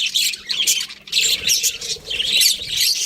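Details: Pet budgies in a lively group chorus, harsh squawky chirps and warbled chatter tumbling over one another in rapid bursts, dipping briefly about a third of the way through before picking up again.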